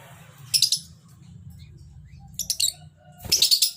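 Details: Lovebird giving three bursts of sharp, shrill, high chirps, each a rapid cluster of notes, separated by about two seconds of quiet with a low humming background.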